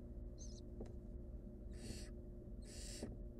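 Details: Barn owl nestling being saved from choking by its mother. A brief faint squeak is followed by two rough, noisy hisses about a second apart, set against a constant low droning hum.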